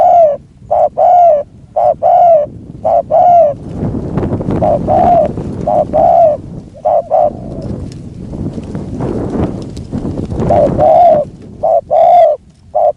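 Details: Spotted dove decoy set out to lure a wild dove, giving repeated short mellow coos at the start and end, with a stretch of rough rustling noise partly covering the calls in the middle.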